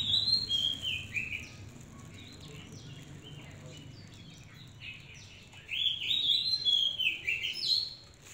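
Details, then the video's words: Hand-reared captive Oriental magpie-robin singing a varied run of sweet whistled phrases, sliding and warbling high, with a loud burst at the start, a quieter middle stretch, and a second bright burst near the end over a low background hum. "Một năm nữa sẽ hứa hẹn có gần chục con chòe than hót tốt tự tay gột lên"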